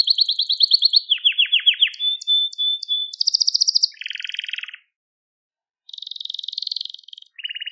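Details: Crested Gloster canary singing to train young canaries: rapid pulsed trills, a descending rattling phrase, sharp clicks with a steady whistle, then buzzy rolls separated by a pause.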